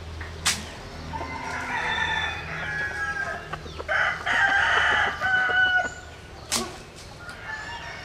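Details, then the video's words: Rooster of a bantam cross, Japanese bantam hen by Cuban cockerel, crowing vigorously: a long, harsh, drawn-out crow rising then held, plus a second burst, among scattered clucks and sharp knocks. "Gà Tre Jap Cuban Tiếng Gáy Rất Sung"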